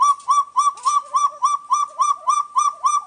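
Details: Quail 'gong gong' call, delivered clean: evenly spaced, rounded hooting notes, roughly three per second, with ringing overtones. Softer, lower notes slip in between the main calls.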